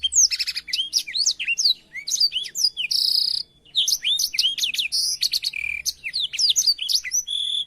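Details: Black-throated canary song used as a tutor recording for canaries: a rapid, unbroken stream of high, sharply rising and falling whistled notes, mixed with buzzy bursts near the third second and again toward the end.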